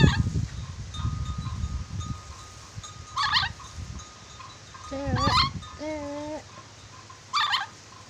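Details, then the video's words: Sulawesi red-breasted parakeet, said to be clever at whistling, mixes rasping chattering bursts with two clear, level whistled notes in the middle, over low rumbling noise. "Nuri dora sulawesi pintar bersiul, nuri dora banyak siulan"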